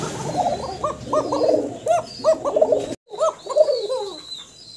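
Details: Domestic pigeon breeding pair, male on the right and female on the left, the female near egg-laying, calling a lot. Repeated soft throaty coos in rolling, rising-falling phrases, with a brief break in the middle and low speech behind.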